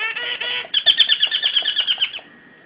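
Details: A caged Javan myna (Acridotheres javanicus) gives a brief nasal, harmonic note, then a quick run of about ten harsh, buzzy chattering notes, roughly seven a second.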